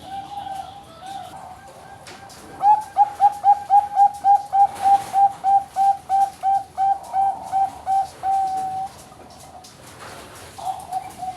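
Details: Bangkok-type zebra dove, captive-bred at a farm in Kediri, East Java, Indonesia, hatched 12 April 2025: a long rapid run of some twenty short, even, mellow coos at steady pitch, ending in a drawn-out note before brief cooing resumes.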